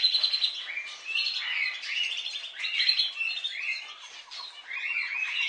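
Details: Budgerigars trilling in a group, a busy stream of buzzy chirps and warbled slurs, with a short rapid ticking run near the end and no other sounds.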